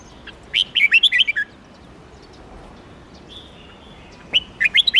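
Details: Melodious red-whiskered bulbul song: a quick phrase of slurred whistles, then a thin, steady high whistle, then another phrase beginning.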